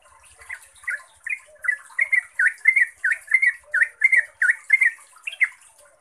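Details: Yellow-vented bulbul singing a fast, energetic 'ropel' lure song: quiet start, then a steady string of warbled, bubbling notes roughly every half second, ending with a higher rising phrase; light background hiss.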